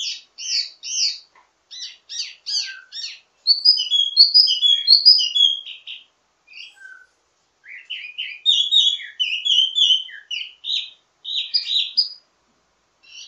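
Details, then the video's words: Ledekan teasing song of a wambi mini, full and varied, for training birds of its kind: clustered sharp chirps, bright warbled phrases, and repeated twittering bursts separated by brief pauses. "Ledekan Wambi mini Full Gacor Banyak Vareasi"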